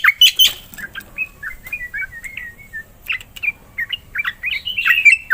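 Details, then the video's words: Singing black-winged myna (jalak putih), offered to coax silent mynas into song: a sharp harsh opening followed by a chattering series of short whistled and warbled notes, varied in pitch, fairly continuous. "JALAK PUTIH GACOR"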